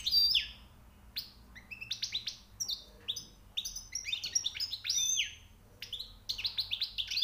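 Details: European goldfinch, newly caught, singing high notes: rapid bursts of bright twittering and buzzy rising and falling notes, with short pauses between phrases and a faint low hum beneath.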